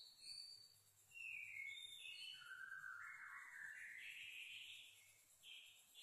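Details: Black-tailed, long-tailed White-rumped shama in full song: faint whistled phrases sliding and rising in pitch, with buzzy high notes, over a steady low hum and background noise.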